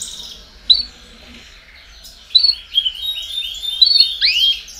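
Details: Chorus of domestic canaries intended to encourage young birds to sing: a quiet opening, one whistled note, then a burst of rapid descending trills and a loud rising swoop near the end.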